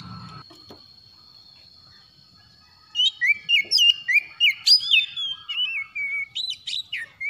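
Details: Morning call of a kept white-rumped shama recovering from stress: after a near-silent start with a steady high tone, a rapid run of loud varied whistles and slurred sweeps, about a dozen phrases in quick succession.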